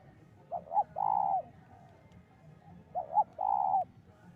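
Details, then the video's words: Spotted dove lure call used for trapping: two phrases about 2.5 seconds apart, each a quick double coo followed by a longer, steady, mellow coo, over faint low background rumble. "pancingan burung tekukur"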